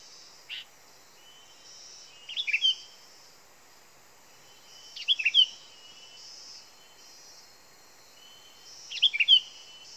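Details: Sooty-headed bulbul used as a lure bird, giving short bubbly chirping phrases around the upper-middle range, repeated roughly every three seconds with quiet gaps, over a faint steady high hiss.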